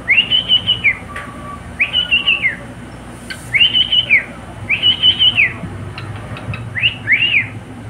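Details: Pet cockatiel singing: a series of clear whistled phrases, each a rising then flat then falling arch, repeated roughly every second with short gaps, over steady low background hum.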